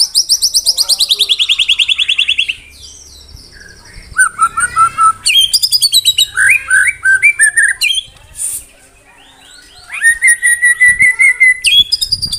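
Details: White-rumped shama (murai batu) singing dense 'tembakan rapat' bursts: a long pulsing descending trill, then loud rapid chattering runs, rising whistles and a sustained clear whistled note, all in quick succession.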